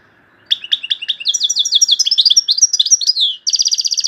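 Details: European goldfinch from Algeria in high, loud song, including phrases known locally as torogio, kaka gio and borwis: clipped chirps build into a quick jumble of liquid twitters, then a pause and a fast even buzzy trill.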